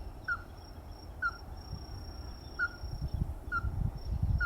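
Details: Ruddy-breasted crake with a series of short knocking calls at irregular intervals near one second, while low rumbling noise grows louder toward the end and a high steady whine continues.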